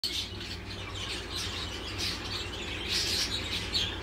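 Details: A baby lacewing exhibition budgerigar chick still in the nest box gives raspy, scratchy chirps in a steady stream over a low background hum.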